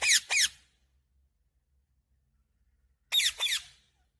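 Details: Green ringneck parakeet giving two pairs of sharp, high, harsh squawks separated by about three seconds of silence.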